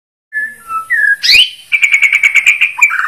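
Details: White-rumped shama (Bornean shama, murai borneo) singing actively: a few clear whistled notes sliding between pitches, a sharp rising upsweep, then a rapid run of about ten repeated, evenly spaced high notes ending in a buzzy flourish.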